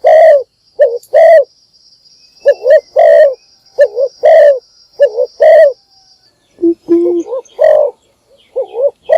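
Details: Morning calling of a spotted dove used as a decoy to attract wild doves. Repeated wavering coos and longer rolling notes run in quick series, with a lower, flatter coo interjected midway and a faint high whine in the background.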